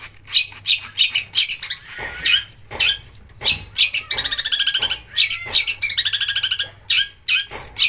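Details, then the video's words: Long-tailed shrike in full mimicking song to provoke other shrikes: dense, varied whistles and harsh chatter with stretches of rapid buzzy rattling trills. "pancingan cendet agar gacor||burung masteran mewah tembakan kasar keluar semua"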